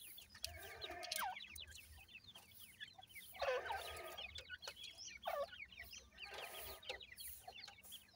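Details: Grey francolin (teetar) chicks calling: a steady scatter of thin, high peeps and chirps, with a few louder downward-sweeping cheeps standing out at intervals over a faint low hum.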